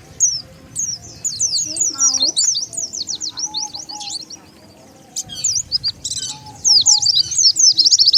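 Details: Oriental white-eye lure call used to draw wild birds together: rapid high, thin twittering notes sliding up and down, in dense bursts with a brief pause near five seconds, faint lower tones beneath.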